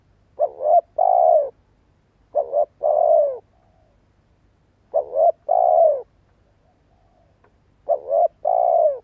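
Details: Four evenly spaced two-part phrases from a spotted dove decoy bird, each a short stuttered coo followed by a longer mellow coo, repeated about every two and a half seconds to prompt other birds to coo.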